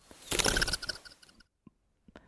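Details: Fork-tailed flycatcher, non-migrating subspecies, wing-feather sound during display: a dry, buzzy rattle with faint whistled overtones lasting about a second, followed by a few soft clicks.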